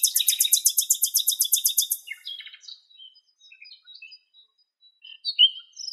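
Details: Western Black-eared Wheatear, probably a female carrying nest material in its bill, in Greece: a fast, dry, high-pitched rattle for about two seconds, then scattered thin, sharp chirps and short rising notes.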